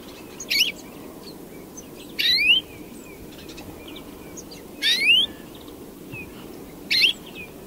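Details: Repeated European greenfinch song: four buzzy, rising wheeze notes roughly every two to three seconds, some with a rasping start, and scattered faint chirps between them.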